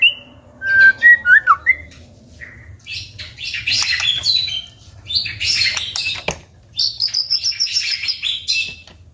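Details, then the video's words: White-rumped shama in rich song: quick whistled notes and rapid repeated chips, then bursts of harsh, loud chattering and a run of fast repeated notes, with sharp clicks between phrases. "chòe lửa hót giọng hay, đập tạch liên tục"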